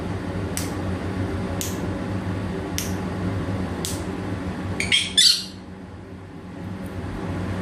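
A sun conure mimics a lighter with four sharp, dry clicks about a second apart, then a brief harsh squawk, over a steady low indoor hum.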